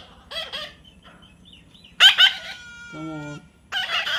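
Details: Harsh rasping squawks from a baby parrot, one soft, then a loud burst and a final rough call, with a brief human voice humming between them.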